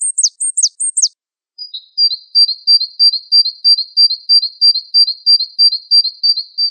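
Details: Gelatik wingko in a masteran compilation: four steeply falling high chips, then a long, very regular series of thin high whistled notes, about three a second, with faint higher overtones and no background noise.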